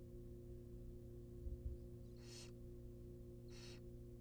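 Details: Nestling barn owls in a monitored wild nest box beg as they receive a rabbit: a couple of soft thumps, then two loud hissing bursts about a second apart, set against an unbroken droning hum.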